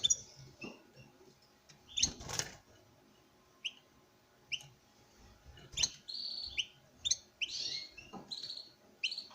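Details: European goldfinch male from a breeding pair singing toward a female: scattered high chips and clicks at first, then a run of buzzy twittering trills near the end.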